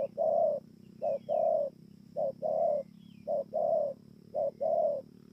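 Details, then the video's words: Spotted dove from Bờ Y, Kon Tum, 28 November 2017, singing four regular pairs of deep coos, a brief note leading into a longer rounded one, with faint thin whistles from other birds. "CU GÁY"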